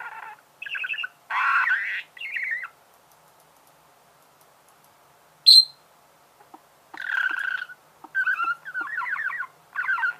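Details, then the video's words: Chirping of a pet budgerigar, short scratchy warbled bursts separated by a long quiet gap, one sharp high squeak near the middle, then more chattering phrases toward the end. "Чирикает волнистый попугай"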